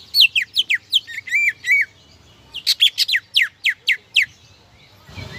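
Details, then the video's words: Lively greater green leafbird song meant to spur rival birds into singing, a fast run of bright falling whistles and chirps in two bursts separated by a short pause, ending with a soft thump. "PANCINGAN CUCAK IJO GACOR AMPUH MEMANCING LAWAN AGAR BONGKAR MATERI"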